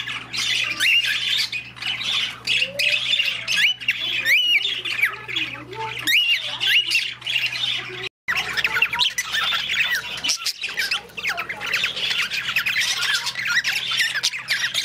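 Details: Cockatiel (Nymphicus hollandicus) at a petting zoo in Rotterdam, whistling in shrill, rising and falling notes over busy squawky chatter, with a low steady hum.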